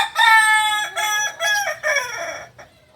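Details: Multi-tiered crow of a Kokok Balenggek cockerel, a rare village chicken breed from Solok, West Sumatra: one long bright opening note followed by four shorter, separated tiers, the whole phrase lasting about two and a half seconds.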